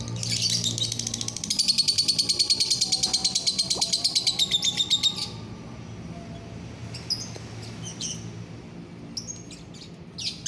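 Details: Biola euwing green lovebird, 24 November 2021: a long rapid buzzy trill of fast repeated pulses for about four seconds, followed by scattered sharp high chirps, with a low background rumble.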